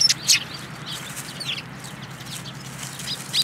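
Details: Sparrows (Eurasian tree sparrow) coming for food at a Tenmangū shrine, 10 February 2022: scattered thin high chirps, louder at the start and end, with softer twittering between.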